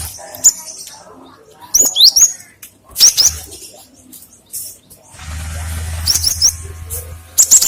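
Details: Cinereous tit song kept for luring and tutoring other birds: quick high-pitched chirp clusters, some sliding downward, with a steady low hum running through the second half and scattered clicks.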